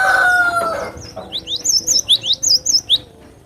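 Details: The tail of a rooster's crow fades out, then a cinereous tit sings a quick series of high, bouncing two-pitch whistles, roughly eight notes in two seconds.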